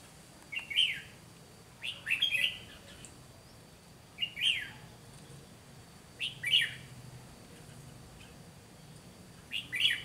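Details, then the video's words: Red-whiskered bulbul acting as a trapping decoy in Vietnam, singing a fighting song: brief loud chirpy phrases repeated roughly every two seconds, separated by quiet gaps, with low outdoor noise and a faint high hum. "Bẫy chào mào Mồi Má lỡ ra trận gặp ngay hàng Cứng"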